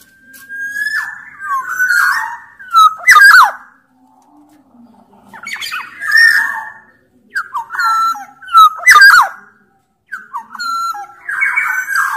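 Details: Sumbawa black-naped oriole, a big-bodied type, in full song: fluty whistles alternating with loud harsh nasal squawks in about four bursts over twelve seconds, separated by short silences.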